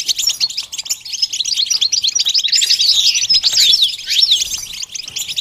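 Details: Goldfinch warbling during training, a busy, high twitter of rapid notes interspersed with sweet rising and falling whistled slurs, continuing without a break.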